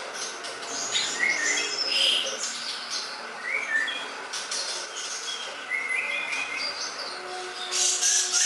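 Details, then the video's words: Greater green leafbird singing a quick, varied stream of sharp chirps, short whistles and buzzy trills, roughly four per second. Loudness rises and falls, with a low steady hum in the background. "masterancucak ijo yang mudah di tangkap"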